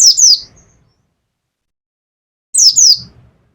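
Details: Pacitan mountain white-eye kept as a cage bird, repeating a 'nembak' double note: two high, sharply descending whistles, given again after about two and a half seconds of silence.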